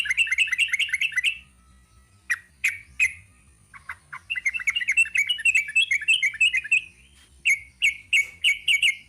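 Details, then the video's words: Sooty-headed bulbul singing a long song: bursts of bright chirping notes near the upper-middle range, fast clipped phrases with short pauses between, some notes rising and sliding, repeated in quick series. "Kicau TRUCUK ROPEL PANJANG."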